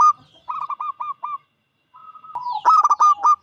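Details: Loud-voiced five-year-old local zebra dove whose song invites other doves to sing; a short series of soft coos, a silent gap, then a rising lead-in and a burst of hard clipped notes with coos.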